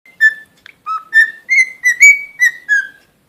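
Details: Pet cockatiel whistling a short tune of clear notes, each with a slight pitch bend. The notes come in quick succession and the room is otherwise quiet.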